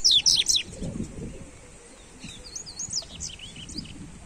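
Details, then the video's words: A Double-collared seedeater sings to warm up other birds. Opening with loud, sharp, high notes, it continues with softer, scattered slurred whistles over low background noise. "Esquente seu papacapim Coleiro"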